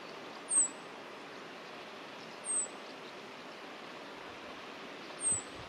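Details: A rock bunting (Emberiza cia) at Penha Garcia, Idanha-a-Nova, Portugal, gives three thin, very high, slightly falling 'tsii' notes spaced a couple of seconds apart, over a steady background hiss.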